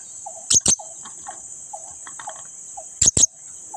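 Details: Blue-crowned hanging parrot in full voice, egging on an idle companion to join the noise: two pairs of piercing, clipped notes about two and a half seconds apart, over a constant high hum and soft repeated lower chirps.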